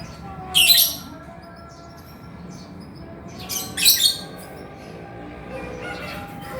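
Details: Chattering male lovebird, used to prompt idle birds to sing. Two brief, rasping high squawks, the second doubled, over a faint sustained tonal hum.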